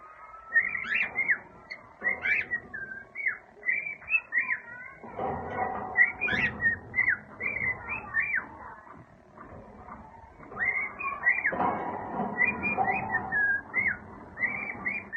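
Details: A pet cockatiel whistles a lively string of clear, warbling notes, singing learned tunes "If You're Happy and You Know It" and "September".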